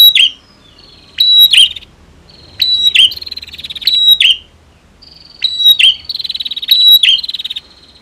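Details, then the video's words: Prinia duel, female versus male, meant to trigger singing: piercing down-slurred chirps in pairs, joined by thin level whistles and a brief buzzy trill near the end. "Prenjak betina VS Prenjak Jantan !! Ampuh Dongkrak Emosi Burung Macet Bunyi"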